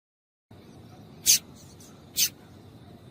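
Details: Female double-collared seedeater giving a call meant to excite males into singing: two short, very high, sharp chirps about a second apart over a faint low hum.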